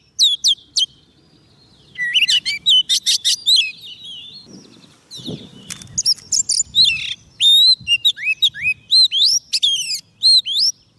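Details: Oriental magpie-robin singing to lure wild birds: opening whistles, a brief lull with faint rustling, then dense bursts of trills and clear upswept whistled notes.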